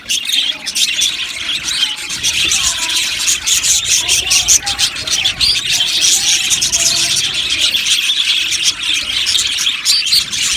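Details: Colony of budgerigars in an aviary giving continuous chatter, rapid high chirps and warbled twitters layered from many birds at once.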